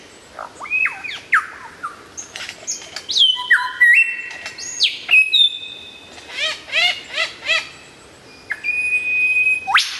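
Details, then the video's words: Lyrebird song, loud and very clear, used for tutoring songbirds: a varied medley of sharp whistled sweeps, falling slurs, long steady whistles and quick chirp clusters, with short pauses between phrases and no other sounds. "suara burung lyrebird gacor"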